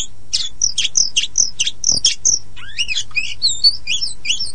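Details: Lure song of a poci Oriental magpie-robin for prompting young or stalled birds to sing; rapid high sharp chips at first, then a flowing sequence of looping whistled notes, over a low steady hum.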